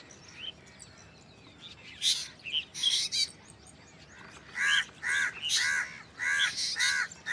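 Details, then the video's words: Black drongo strange call: harsh grating bursts with a banded, nasal tone, first spaced, then coming in a quick irregular series of about six in the last three seconds. "Black drongo Strange Call / Sound"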